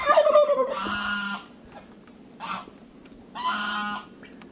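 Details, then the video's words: Chukar partridges in a spacious aviary start calling when the sun comes out after snowfall: harsh, nasal, clucking bursts, each about a second long, repeated after short pauses over a low background hum. "Kınalı keklik ötüyor"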